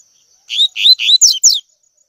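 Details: Double-collared seedeater's tui tui song, a training recording for young birds: three loud upward-slurred whistles followed by two fast downward notes, with a faint constant high whine in the background.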